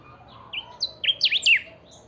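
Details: Pica-style song from a kept saffron finch, recorded for playback to rouse other finches: two or three clipped whistles lead into a rapid run of zigzag sweeps, ending abruptly.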